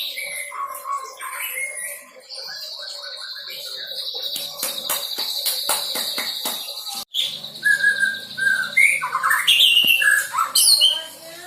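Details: Young white-rumped shama practising filler song material: a steady high buzzy trill with rapid clicking bursts, then varied whistled and slurred notes toward the end.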